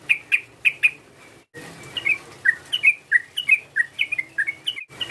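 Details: Sooty-headed bulbul call used to provoke a rival: four bright chirps in quick succession, a short pause, then a long run of liquid, warbling two-note phrases repeated rapidly. A faint low hum sits underneath.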